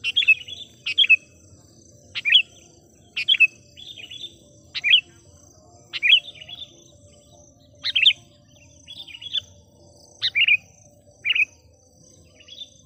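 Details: Lively captive decoy sooty-headed bulbul singing to summon wild bulbuls: about a dozen short, bubbly whistled phrases, each two to four notes, repeated roughly every second, with a faint steady high tone behind.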